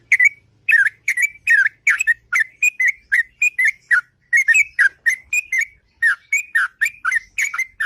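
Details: Morning song of a sooty-headed bulbul in long ngropel style, a rapid, nearly continuous run of bubbly whistled notes that dip and rise, with only short gaps between them.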